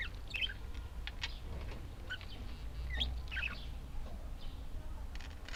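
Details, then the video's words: Budgerigars giving scattered short chirps, sharp upward and downward flicks spaced irregularly over a steady low rumble of background noise. "Волнистые попугайчики (budgies)"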